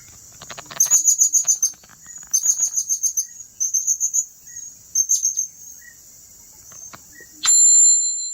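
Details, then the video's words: Blue-crowned hanging parrot recorded in Tenom: loud bursts of rapid, high, thin squeaky notes in rhythmic series, several phrases with short pauses, ending in a sharp sustained electronic-like tone. "serindit@turipos tenom"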